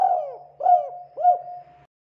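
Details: Local spotted dove song used as a lure for other doves: three soft, mellow coo notes in under two seconds, each sliding down then holding a steady low tone, with a faint low hum beneath and clean silence otherwise.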